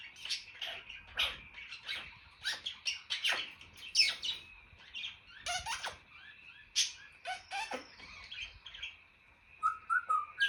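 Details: Pet male African grey parrot making mimicked sounds: a busy run of sharp clicks, pops and shrill squeals, ending in short whistled electronic-like notes.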